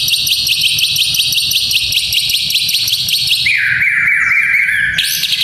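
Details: White-rumped shama training sound for young fighter males: a long, fast, pulsed high trill, then a whistled phrase dropping in pitch and a sudden high note.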